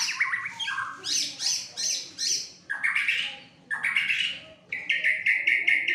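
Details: White-rumped shama, a caged fighter bird in an agitated, heavily singing state, tested for its nerve: loud, varied whistled phrases delivered in bursts about once a second, ending in a steady buzzy trill.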